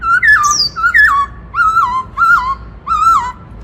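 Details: Caged black-throated laughingthrush singing the loud "Bắt Cô Trói Cột" song style meant to stimulate other birds: five clear whistled phrases, each a rising note then a falling slur, repeated about every seventh of a second apart, in a quiet room.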